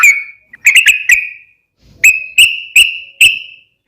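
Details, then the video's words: Yellow-vented bulbul's gacor song for cage-bird daily training: a few sharp, clear whistled notes with ringing tails, arranged in two short groups with silence between. "KICAU SUARA trucukan gacor KHUSUS BUAT MASTERAN HARIAN menjadikan burung trucuk gacor NYAUT SEKETIKA"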